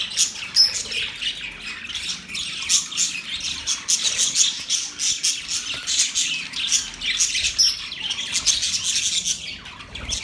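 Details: Budgies chirping steadily, rapid scratchy warbles and thin whistled squeaks overlapping in a constant high chorus.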